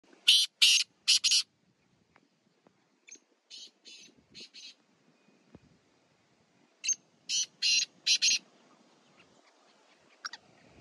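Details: Black francolin of a Sheedi Chinga cross strain, in a village setting: a loud phrase of harsh grating notes, a quieter repeat of the pattern, then another loud phrase, over faint background murmur.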